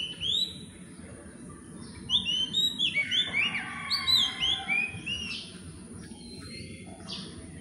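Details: Philippine magpie-robins gathering nest material and moving between perches; one sings, possibly claiming territory, a varied run of clear sweet whistles and slurred notes, several phrases a second, over steady low hum.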